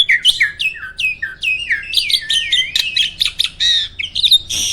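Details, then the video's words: Caged jalak starling known for contest singing in roll, tembak and speed styles, pouring out a fast string of varied whistled notes, some rising and falling, mixed with buzzy chatter and no break. "Burung jalak isian ISTIMEWAH!! selalu JUARA || Gacornya bukan main."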